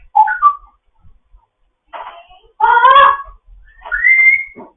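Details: Captive African grey parrot in foster care chatting in the morning: a short whistled note, then noisy harmonic squawks and a rising whistle that levels off high, in spaced bursts with quiet gaps.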